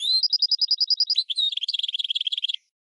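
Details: Goldfinch crossed with red canary, a tutor for training birds: an evenly spaced series of high clear notes, then a dense rapid buzzy trill of quick notes, all high-pitched with no background noise.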